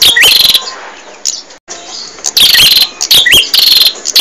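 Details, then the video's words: Bar-winged prinia singing for caged-bird training: loud high buzzy trills and rising whistled notes in bursts, with a brief silent break near the middle before the phrases resume. "Suara Burung Prenjak"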